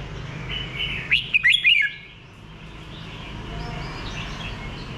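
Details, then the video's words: A single phrase of four fast, lilting whistled notes from a red-whiskered bulbul, loud against a background of soft, distant bird chirps and low hum. "Thư giãn nghe chim Chào mào hót"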